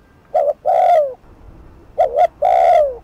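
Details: Spotted dove decoy bird giving a fast, urgent cooing meant to provoke rival doves. Low, hollow coos come in pairs: a short note followed by a longer, drawn-out coo that slurs downward, then a pause before the pattern repeats.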